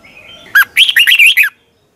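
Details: Red-whiskered bulbul singing in the morning for practice, used to train other birds: a short burst of rich warbled whistles, a sharp note followed by a fast rolling phrase of looping notes lasting about a second, then silence.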